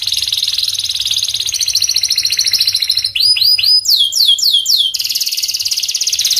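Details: Pied canary singing dense rolling trills, then a bright run of looping down-slurred whistles at about four per second, returning to a fast buzzy trill.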